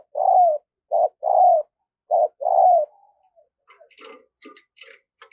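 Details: A decoy spotted dove used to lure wild doves gives three low cooing phrases, each a short coo and then a longer one. Faint, higher chirps and clicks from other birds follow near the end.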